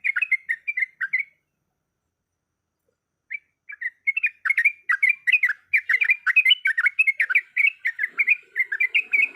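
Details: Breeding-condition female yellow-vented bulbul calling a male: a short chattering phrase, a two-second gap, then an accelerating, continuous 'ropelan' stream of bubbly, slurred chirps.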